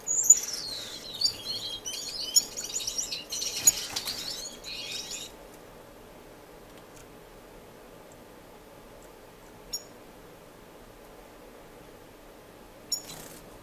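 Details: Finches in an indoor, non-breeding community aviary in Edmonton, Canada, in March, singing a dense, high twittering warble for about five seconds, then near silence broken by two brief high chips.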